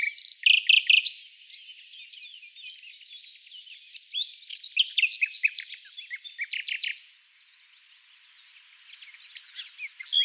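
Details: Nightingale chorus in a dune valley near Oostkapelle, Netherlands, one bird singing at close range: three loud clipped notes open, then fast trills and chattering phrases, a brief hush, and more loud notes near the end.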